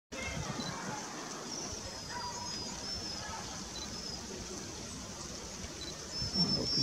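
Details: Japanese waxwings on 7 March 2018 give thin, very high, sibilant trills in short strings over steady low rumble and background noise, with faint human voices.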